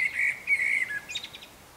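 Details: Eurasian blackbird singing in the morning while still dark: a low fluted warble followed by a quick, higher twittering flourish, with faint thin notes of a European robin behind.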